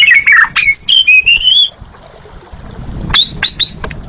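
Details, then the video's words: Lively singing from an Asian pied starling, locally called jalak suren: fast squawky notes running into a long wavering whistle, a quiet pause with low background rumble, then three sharp chirps. "Suara Burung Jalak Suren Gacor"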